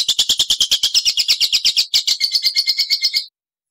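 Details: Caged lovebird in the ngekek and ngetik singing styles, used to lure other lovebirds: a fast, shrill, unbroken chatter of about fifteen sharp notes per second lasting over three seconds, then abrupt silence.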